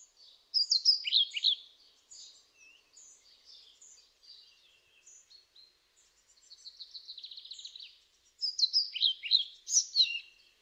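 A European pied flycatcher sings short, high, sweet phrases of quick notes, with softer notes between.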